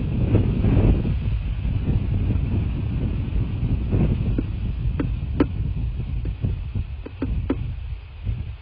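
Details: Night-time outdoor rumble of wind buffeting the microphone and distant vehicle noise, with scattered faint clicks and no animal calls.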